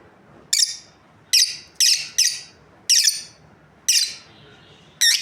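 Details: Harsh, high-pitched chirps from a breeding pair of lovebirds, seven notes at irregular intervals of about half a second to a second, indoors with little other sound.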